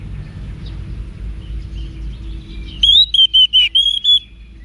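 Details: Orange-headed thrush song for training cage birds, from Singaraja, Bali: after low background noise, a bright series of five or six clear, level whistled notes delivered rapidly.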